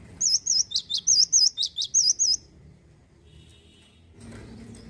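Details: Male cinereous tit, a caged songbird in Indonesia, singing a fast run of about eleven high looping whistled notes that alternate wavy and downward-dropping shapes, then falling quiet with faint background noise.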